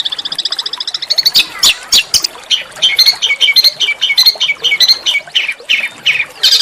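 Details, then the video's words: Small songbird with rough master-song phrases for provoking shamas and magpie-robins: a fast high trill opens, then harsh squawky chirps and short two-note phrases repeated at irregular intervals. "masteran burung kecil agar murai batu gacor"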